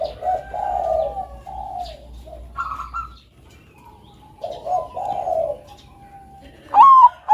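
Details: Zebra dove of the bangkok type kept as a singing bird: overlapping soft low coos from several doves, a few quiet higher notes, and near the end one loud rising coo that opens a new phrase.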